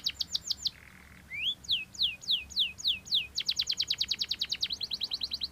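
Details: Belgian canary in full song, opening with quick high descending notes, a short buzzy pause, then a set of evenly spaced slurred whistles falling in pitch, followed by a dense, rapid, metallic trill that continues to the end.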